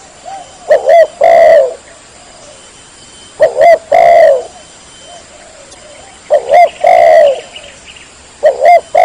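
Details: Call of the spotted dove used to bring in rivals: repeating phrases of a quick double coo and a long falling coo, every two to three seconds, with soft far coos of another dove between.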